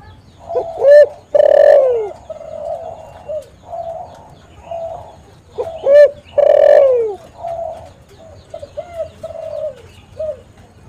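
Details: Spotted dove call used as a lure to trap and prompt wild doves: two loud phrases, each a short note then a long hoarse coo falling at the end, with softer mellow coos between them.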